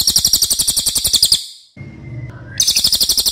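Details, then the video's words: Racket-tailed treepie, a loud, long-voiced songbird related to crows, used as a master recording for training other birds: rapid harsh chattering notes about four per second, a pause, then the chatter resumes. "MASTERAN CILILIN OKE BANGET"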